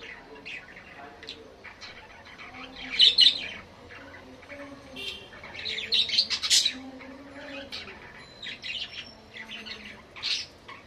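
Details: Budgerigar chattering: a mix of squawks, chirps and soft warbling notes, with two louder harsh bursts standing out amid continuous lower twittering.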